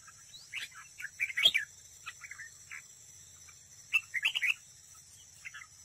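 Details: Red-whiskered bulbul decoy bird singing competitively at a trap: two bursts of quick, bright chirping phrases, the first around one to one and a half seconds in and the second near four seconds, with quiet gaps between and a steady faint hum.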